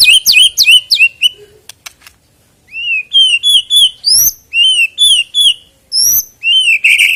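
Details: White-rumped shama song used to prompt singing before a contest: quick high chirps, a short low note, then a steady series of rising whistled phrases about three per second, ending in a buzzy note.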